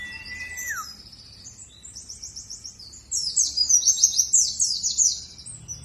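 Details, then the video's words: Warbling white-eye, Dakun from Bondowoso in East Java, singing to lure other birds: a falling whistle, thin high trills, then a loud run of rapid, sharp, very high descending chips. "Pancingan Pleci Dakun Jatim Bondowoso supaya ikut bunyi"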